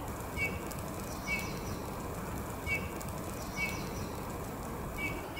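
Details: A Eurasian bullfinch on a maple gives soft, low piping whistles, about five short notes spaced one to one and a half seconds apart, over a steady wind-like background rumble.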